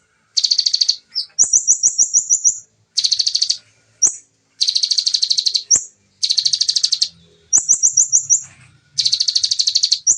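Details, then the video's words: Fast, clear 'nembak' shooting song of a Bar-winged prinia, original recording. Dense high buzzy bursts of about half a second mix with single rising chips and stuttering runs of quick ticking notes, delivered almost without pause against a quiet background. "Konin Nembak Ciblek speed Rapat//Jernih ( Suara Asli )"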